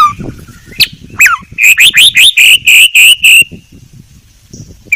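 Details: White-rumped shama singing on a tutor recording, with a few sliding whistles, then about seven rising, ringing notes in quick succession. Faint low background rumble.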